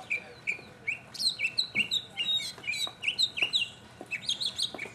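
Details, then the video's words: Mockingbird solo, 2015: steady repeated chirping phrases at mid-high pitch, nearly three a second, with higher overlapping notes and squeaky bits mixed in. "mockingbird Solo 2015"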